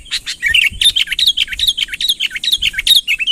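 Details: Sooty-headed bulbul, a genuine unfilled recording, calling energetically to draw a rival closer: a rapid chatter of short, bright, bubbly notes, each quickly bending down then up, running nearly continuously with sharp ticks above.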